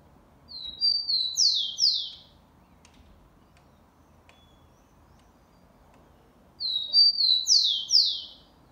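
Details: Xavante-type song of a Rufous-collared sparrow, recorded 04/10/2020, delivered twice about six seconds apart: each phrase opens with level piping whistles and closes with two bright downslurred notes, over quiet background.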